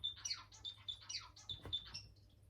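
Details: Bengalese finch, or society finch, kept as a pet in an amateur home breeding setup, giving a run of short high chirps and tweets, several each second, with brief rising and falling notes over quiet room noise.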